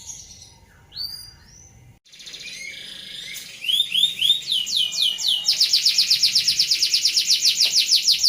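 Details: Rolling canary song used to train other songbirds; a few scattered high chirps and a rising whistled series lead into a rapid, steady high trill repeated about four times a second, with faint background noise.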